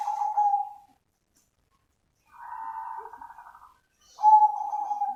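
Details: Zebra dove of the cemani variety singing actively, a genuine live recording: a steady mid-pitched coo, then a longer pulsed, rolling phrase, then another bright coo sliding into a burred trill, with short silent gaps between phrases.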